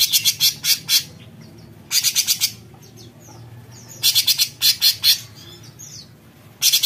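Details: Cucak cungkok bulbul singing besetan: clusters of sharp, buzzy pulses arrive in groups of three to five and repeat several times, with faint sliding whistles in the quieter gaps.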